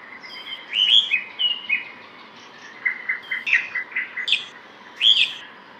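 Red-whiskered bulbul giving two bursts of bright, chirpy, warbled notes, each phrase quick and bouncy over a quiet background.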